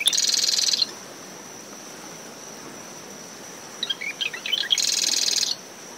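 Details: Marsh wren in dune shrubs surrounding a nest at SMNWR, early morning with brisk post-storm winds. It opens on a grating buzz, pauses, then gives stuttering notes that build into another rasping rattle. A cricket, probably Gryllus, trills steadily over wave and wind noise.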